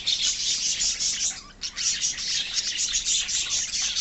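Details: Budgerigars in a love birds colony fill the air with steady, bright twittering and sharp chirps, briefly dipping for a moment partway through before the busy chorus resumes.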